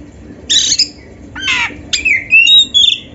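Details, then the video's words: Oriental magpie-robin training song: a harsh, buzzy burst, a rasping downslurred note, then a rising whistled phrase with a wavering high tail. "SUARA BURUNG KACER MASTERAN"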